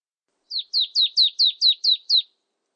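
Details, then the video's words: Marsh tit giving a quick series of eight clear, downslurred whistled notes, each sliding from high to lower pitch, evenly spaced about a fifth of a second apart, with a silent background. "쇠박새, 1번 듣기, 곤충소리, 새소리"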